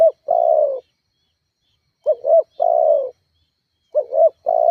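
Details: Lure call of a spotted dove meant to rile rivals and make caged doves sing: repeated phrases of a quick double hoot then a drawn-out, gently descending coo, nearly two seconds apart, with silence between.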